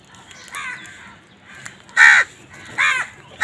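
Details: Crows fighting over food give four harsh, hoarse caws, one faint, then three loud ones at uneven intervals of about a second, against a quiet background.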